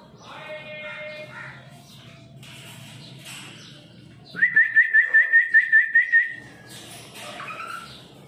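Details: A Red lory gives a quick run of about ten clear, chirping whistles at a steady high pitch, with harsher squawks and chatter from other birds before and after.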